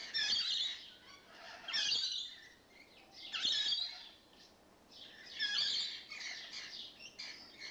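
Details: Several rainbow lorikeets that have taken up residence keep up noisy carry-on, giving rough, screechy squawks in irregular bursts with quieter chatter between them.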